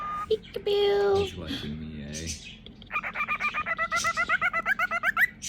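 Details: Indoor pet cockatiel mid-game of peekaboo, doing its wind-up: a held tone and buzzy wavering notes give way to a fast string of rhythmic, pulsing chatter notes that quicken and rise toward the close.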